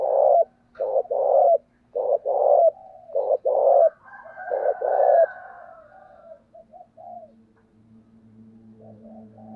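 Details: Cooing doves calling to lure wild birds, a decoy spotted dove setup: several loud coo phrases in quick succession overlapping each other, then fading, with a steady low hum underneath.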